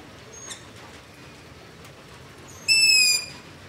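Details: Long-eared owl begging at night by a house, ZOOM H5 and LOM Usi Pro recording: a faint, brief squeak early on, then after a quiet pause one strong, shrill, gently falling squeal near the end.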